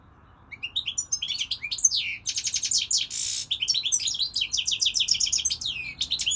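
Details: European goldfinch in sustained song: a dense, unbroken stream of high twittering and slurred notes, with a brief harsh buzzy passage near the middle, then more rapid tinkling phrases.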